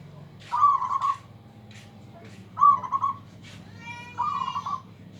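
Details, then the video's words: Local zebra dove singing loudly to outdo rivals, giving three short phrases of trilled, bubbling coos about every two seconds, with brief clicks and a thin whistled tone between them and a steady low hum. "PERKUTUT LOKAL SUARA BESAR BIKIN LAWAN TAK BERKUTIK"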